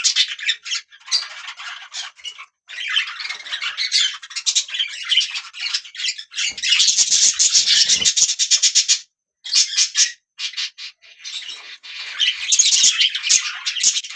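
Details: Budgie parrots chattering almost continuously: raspy, buzzy warbling with rapid clicks and short chirps, dense and high-pitched with brief pauses.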